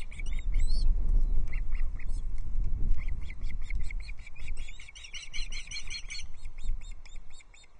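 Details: Three Osprey chicks on a Loch Arkaig nest, 13 June 2024, fighting over a large trout delivered by an adult; quick, sharp, high chirps repeated in a tumbling series, growing busier toward the end, with heavy low wind buffeting.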